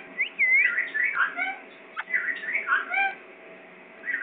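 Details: Pakistani parrot whistling: a clear upswept note followed by looping, slurred whistles and chatter in two bursts, then a short quiet gap and a final soft call.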